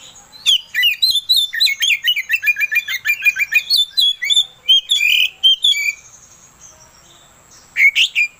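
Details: Oriental magpie-robin song used as a provoking lure to stir another bird into singing: a rapid, varied stream of high chirps, trills and whistled phrases for about six seconds, then a brief pause and a short final burst.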